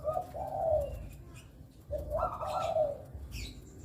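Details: Zebra dove (Bangkok-type perkutut), loud cooing meant as a lure: two soft, rolling cooing phrases, each about a second long, falling slightly in pitch, then a faint higher chirp.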